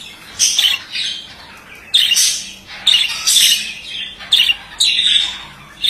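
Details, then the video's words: Male budgerigar song in separate raspy bursts, each a scratchy squawk-and-warble lasting under a second, spaced irregularly, with a faint steady hum behind. "Erkek muhabbet kuşu sesi"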